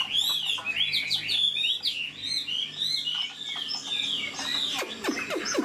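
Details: Caged Chinese hwamei, an old bird taken from the wild, praised for a fine voice and fast delivery, pours out a continuous stream of clear looping whistles and sharp chirps, ending in quick descending slurs.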